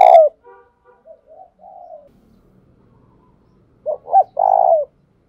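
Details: Decoy cooing of a spotted dove for attracting other doves. Soft low murmured notes are followed near the end by one loud phrase of two quick coos and a longer falling coo.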